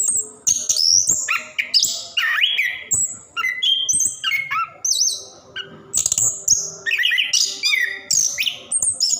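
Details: Orange-headed thrush delivering varied continuous song, used to prompt caged birds to sing; sweeping whistled slurs, high thin notes and short chattering phrases follow one another quickly.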